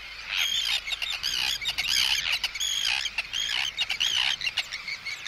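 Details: Agitated Arctic terns threatening an intruder, close up: dense, continuous harsh screeching and chattering, with rapid pulses of sound throughout.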